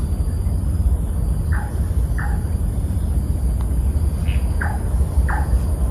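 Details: Large-tailed nightjar at Berlayer Creek, Labrador nature reserve, Singapore, at 7.52 pm on 6 August 2023, giving about five short, hollow, downward-dropping 'chonk' notes at uneven intervals, over a steady low rumble of distant traffic.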